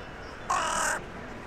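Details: Single loud, raspy caw from a crow in the centre of town in the evening, signalling to others arriving for the night, over faint background hum.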